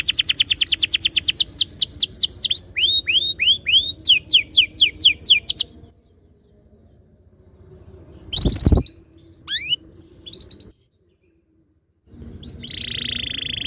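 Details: Canary training song meant to make canaries sing rolling ngerol phrases: fast high trills and downslurred whistles for six seconds, then near silence, a loud thump, a few chirps and a brief buzzy phrase.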